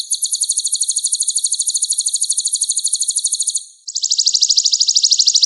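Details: A long, very fast high-pitched rattling trill from a Van Hasselt's sunbird with a full song repertoire used to train other songbirds, pausing briefly before a second, slightly lower rapid trill.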